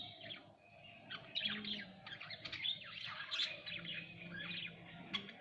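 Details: Budgerigars kept indoors at home, softer and more distant, giving continuous scratchy warbling chirps over a low background hum.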